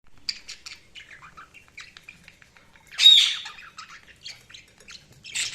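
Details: Budgies chirping: a quiet stream of short, high twittering chirps and warbled notes, with a louder squawky burst around the middle and another near the end.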